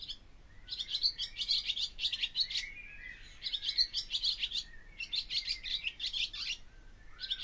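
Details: Twittering song of a barn swallow, delivered in two dense phrases of quick, buzzy chirps with a short gap between them and a low thin slur at the end; steady faint hum underneath.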